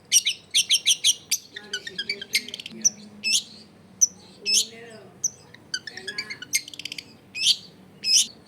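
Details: Long-tailed shrike song used to lure other shrikes into singing, recorded at a house in a crowded neighbourhood: fast harsh chatter mixed with varied twittering and squeaky phrases, dense and irregular throughout.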